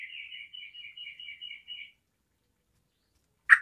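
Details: Sooty-headed bulbul in full, lively song (gacor), used to prompt other bulbuls into singing: a quick run of about ten short warbled notes lasting two seconds, then silence and a single sharp knock-like burst.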